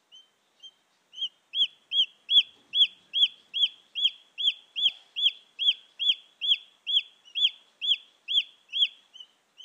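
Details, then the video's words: Junglefowl chick call, recorded to lure wild junglefowl hens: a steady series of high, thin peeping notes, each arched and falling, repeated about twice a second, with faint clicks in the background. "Suara anak ayam hutan asli"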